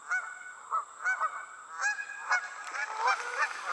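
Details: Flying geese give spaced, ringing honks at first, then the calls crowd together into a busier, noisier clamour as more birds join near the end.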